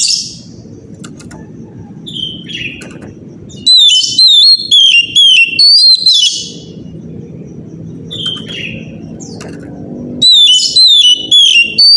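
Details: Oriental magpie-robin singing in the morning to provoke other magpie-robins into song: two bursts of loud, downward-slurred whistles, several notes each, separated by a stretch of low murmuring background and a few faint high notes.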